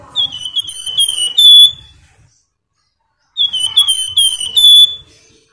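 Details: Lure song of a flamboyan, sung gacor and ngebren rapat to set other birds singing: two separate phrases of bright, sliding whistles, each ending on a longer, piercing held note, silence between.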